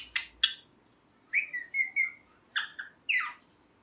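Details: Green ringneck parrot kept at home: two harsh chirps, a string of short level whistles, then raspy chirping notes rising in pitch at the end.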